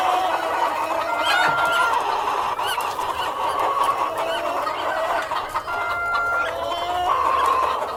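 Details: Chicken flock with cockerel and hens, a steady wash of overlapping clucks and chatter, short warbling rises scattered throughout and a few held tonal notes over the continuous crowd noise.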